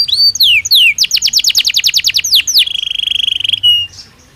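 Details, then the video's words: Belgian canary singing a quick sequence of swooping whistles and rapid descending chips, shifting into a fast level trill and a final short pure note. "Som de 1 Hora com Canario Belga Cantando Naturalmente"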